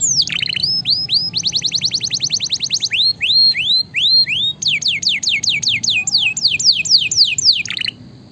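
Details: Canary in energetic song, offered as a master and stimulation recording to prompt lazy canaries to sing: high whistled upswept notes delivered in fast, even trills, switching between several phrase types with brief gaps, over a faint low background hum.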